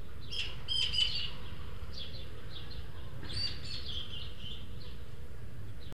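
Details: Three juvenile Eurasian magpies visit a garden feeder at El Retiro, Madrid, seen on a webcam; two beg food from the third, more developed bird. Harsh, raspy chattering calls come in two bursts over steady low background rumble.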